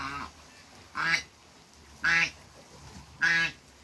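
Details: African geese, a couple met on a waterbird farm, sounding three strong nasal honks about a second apart after a softer opening call.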